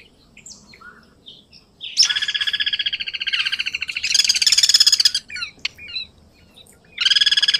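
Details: Guira cuckoo (Guira guira) singing: loud buzzy rattling trills that overlap and swell over about three seconds. Scattered chirps and clicks follow, then a fresh rattle starts near the end.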